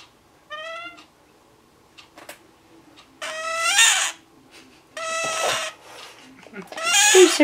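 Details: A captive male scarlet-chested parrot, a month younger than his mate, who sits beside him, gives four drawn-out, nasal, whining cries about a second or two apart as a person speaks softly. On June 15 he cries regularly while stepped up, and the owner is unsure why.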